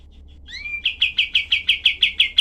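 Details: Cream-vented bulbul tutor recording of sharp, tightly spaced rough notes: a faint whistle and a gliding slur, then a steady series of nine or ten loud, harsh chattering notes, evenly paced.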